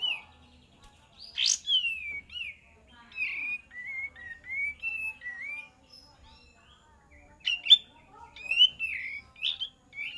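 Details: Kapas tembak song played as a lure: clear, liquid whistled notes in short rising and falling phrases, a quieter run in the middle, then a louder bright burst near the end, over a quiet background.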